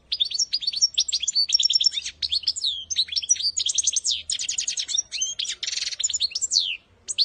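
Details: {'caption': 'Goldfinch song used for training young birds: rapid, continuous twittering of high tinkling notes, buzzy trills and quick rising and falling chirps, nearly unbroken for seven seconds before a brief pause, over a faint low hum.'}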